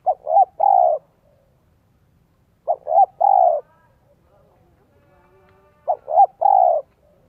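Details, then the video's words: Spotted dove lure bird with the 'son 1 cốt' voice, kept in Vietnam to attract wild doves. Three rhythmic coo phrases about three seconds apart, each with two quick notes and a long falling coo. "CHIM CU GÁY GIỌNG SON 1 CỐT LỠ KÍCH BỔI NHANH NỔI HIỆU QUẢ NHẤT."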